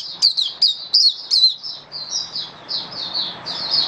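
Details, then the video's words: Mata puteh, the oriental white-eye, caged and singing in buka sing display: a burst of sharp, falling high notes followed by a run of lighter, evenly spaced warbled phrases. "Mata Puteh Buka Sing"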